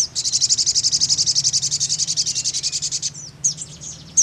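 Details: Sogon call: a fast, dry buzzy trill of high pulses repeated about eight times a second for three seconds, then a few sharp high chirps, over a low steady hum.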